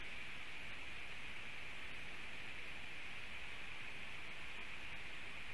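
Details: Steady hiss and static fill the recording, with no animal call heard.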